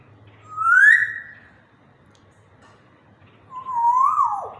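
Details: Happy captive African grey parrot using a slow, sweet voice. Two long, loud, pure whistles: the first rises and the second wavers and then falls, with a quiet pause between them.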